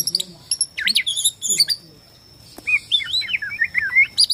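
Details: Borneo white-rumped shama song intended to make rival shamas respond: high looping whistles and chattering notes, a short pause, then a gentler run of slurred whistled phrases.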